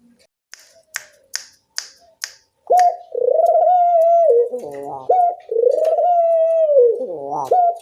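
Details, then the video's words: Loud turtle dove cooing used as a lure to train doves to call. Five sharp clicks open, then long, drawn-out, steady-pitched coos run almost unbroken, each ending in a brief wavering dip before the next swells in. "Pancingan puter bersuara nyaring, melatih bunyi semua jenis burung puter"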